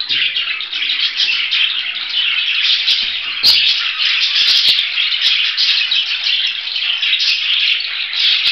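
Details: Budgerigar keeps up a busy, rattling warble of fast squeaks and chirps, with scattered clicks and one loud sharp tap midway.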